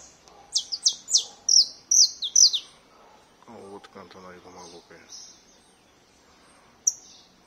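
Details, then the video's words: Domestic canary, a bred cage bird, singing: a quick series of about eight sharp descending high whistled notes over two seconds, then quiet with a man talking in the background and one last high note. "CANARIO DO REINO cantoria LINDA"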